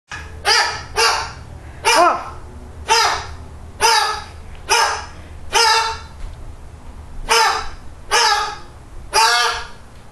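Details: A bird giving loud, harsh, bark-like calls, about nine separate raspy barks each roughly a second apart, over a faint low hum.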